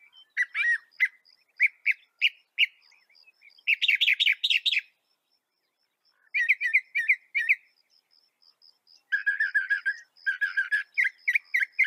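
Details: Northern mockingbird of North America with a varied song: clusters of sharp chirps, a burst of harsh buzzy notes, then repeated chip series and a fast low rattle.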